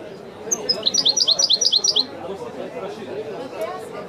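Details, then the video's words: European goldfinch singing in the authentic widani style: a quick run of about a dozen bright, repeated twittering notes after two thin high whistles, then the song stops, over a steady low background murmur. "chant de chardonneret تغريد الويداني الأصيل"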